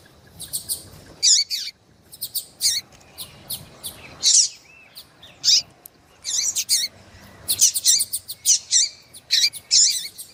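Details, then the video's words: Female double-collared seedeater calling hard to excite a male: bursts of high, scratchy chirps and ticks, sometimes single, sometimes rapid clusters, with brief pauses across ten seconds and a low background hum. "FÊMEA DE COLEIRO QUENTE CHAMANDO MUITO FOGOSA E PIANDO - ESQUENTE SEU COLEIRO FRIO"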